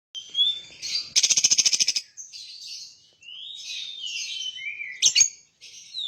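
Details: Lovebird in full ngekek-style song: a long, shrill, high chatter. A rapid buzzy pulsed burst comes early, followed by squeaky rising and falling notes and twittering phrases, with sharp clicks near the end.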